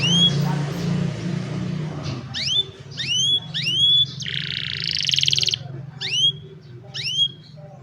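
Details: Young canaries in song meant to train other canaries; after a low rumble, crisp rising whistled notes repeat in pairs, broken by a broad buzzy trill near the middle, recorded by cellphone.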